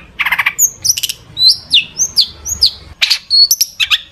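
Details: Lively long-tailed shrike singing a song full of mimicked fill-ins, meant to lure other shrikes into singing; quick alternation of harsh buzzy bursts and clear high downslurred whistles.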